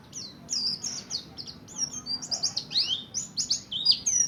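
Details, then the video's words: Mountain white-eye, Buxtoni type, learning ngalas and ngerol song as a lure for other white-eyes. The song is a fast, jumbled stream of thin high chirps and downward-sweeping whistles that grows busier and louder toward the end. "Burung kacamata pleci Buxtoni belajar ngalas ngerol pancingan untuk pleci lain || CHIRPING SOUND ||"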